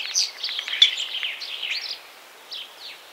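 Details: Common starling (Sturnus vulgaris), song.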